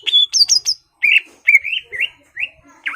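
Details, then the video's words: Greater green leafbird singing loudly to provoke a rival to fight, giving sharp high whistles followed by a string of rising slurred notes about every half second. "CUCAK IJO GACOR MEMANCING EMOSI LAWAN AGAR MAU JAMTROK DAN TARUNG"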